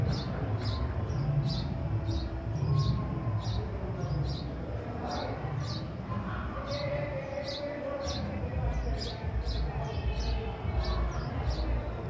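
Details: House sparrows chirping, with short high chirps repeated roughly every half second to second throughout. A heavy low rumble and background noise run underneath.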